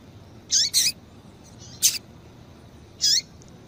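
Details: A female double-collared seedeater calls to stimulate males, giving short high slurred notes. A close pair opens, a sharp chip follows a second later, and one more slurred note comes near the end, with a quiet background.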